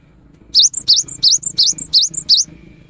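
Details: A lively cinereous tit used as a rainy-season lure, giving seven evenly spaced, high, bright two-note phrases, each a swooping whistle and a clipped higher tag, over faint low rumble.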